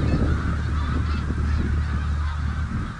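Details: Large flock of snow geese on the Richelieu River, a steady babble of nasal honks blending into one unbroken chorus over heavy low-pitched rumbling background noise.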